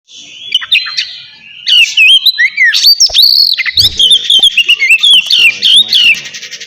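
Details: Oriental magpie-robin singing a relaxed ngeplong-style song, used to coax quiet birds into singing; loud, varied rush of sweet whistles, slurred rising and falling notes and rapid chirps, building after a soft start and running continuously to the end.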